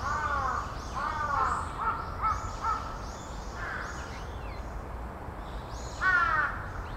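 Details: About twenty large-billed crows gather to mob a northern goshawk, giving a quick run of harsh, hoarse caws for about three seconds, then one more loud caw, over steady outdoor hiss.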